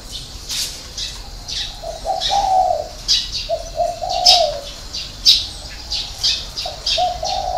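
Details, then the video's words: Spotted dove giving a six-note cooing call in the 'hậu 3' ending style. Low, hoarse coos run in short phrases, with sharp high chirps from other birds throughout. "chim cu gáy 6 tiếng ( hậu 3)"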